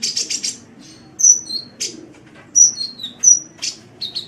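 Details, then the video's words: Kolibri, a sunbird, in a recording meant for tutoring songbirds: buzzy high trills alternate with thin piercing whistles that drop slightly in pitch, in irregular bursts with short pauses. "Masteran Suara Kolibri"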